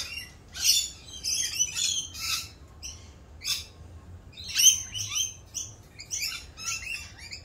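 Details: Rainbow lorikeets in mating season, unusually raucous during their mating dance: harsh, high screeching bursts in uneven clusters, several loud shrieks rising and falling over a quiet low background.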